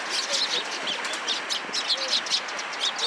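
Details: Sparrows in a cherry tree at a Tenmangu shrine in Japan, 24 March 2023: dense overlapping high chirps and tweets from a flock, nearly continuous, with a constant hiss of outdoor background noise.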